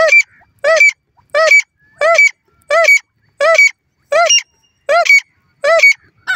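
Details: Francolin calling loudly and steadily: a harsh, harmonic phrase with a short whistled tip, repeated about every 0.7 seconds in an even rhythm, with nothing else heard.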